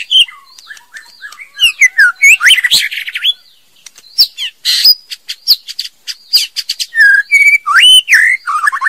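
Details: Song of a female white-rumped shama, a fast run of varied notes: sharp clicks, buzzy chatters and sweet rising and falling whistles, delivered in dense bursts with brief gaps, loud and clean.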